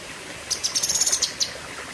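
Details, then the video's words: Short Cucak kinoi song phrase of quick, high, sharp chirps run close together, ending with one separate chirp. "Tembakan Ngeri Cucak Kinoi (Pedes Panjang)"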